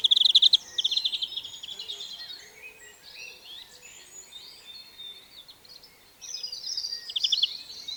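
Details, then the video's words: European greenfinch (Chloris chloris) recorded in the wild, giving rapid twittering trills and buzzy chirps, loud at the start and again near the end, with quieter bird chatter in between. "European Greenfinch Sound – Song & Bird Calls"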